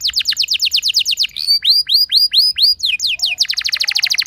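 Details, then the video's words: Lure song of a canary, used to make other canaries start singing: fast rattling note series give way to five loud, arching whistled notes, then a brisk repeated trill to the end. "Cukup Putar Sebentar Saja Burung Kenari Lain Bakal Langsung Ikut Gacor Ngerol Mewah Dengan Pancingan"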